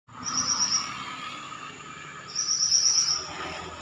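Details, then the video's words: Pied bushchat singing energetically: two short, bright, buzzy high trilled phrases about two seconds apart, with a steady faint high whine and low background hum throughout. "Burung Mantenan Gacor"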